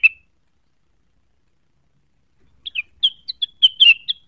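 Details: Cucak wilis, quickly agitated by a provoking sound as it seeks a rival. One sharp chip sounds, then after a silence comes a quick run of high, clear chirped notes.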